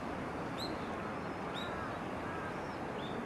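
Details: Eurasian wigeon recorded on 22 November 2019, giving short high whistled calls, about four over three seconds, each a quick rising then falling note, faint against steady loud rushing noise.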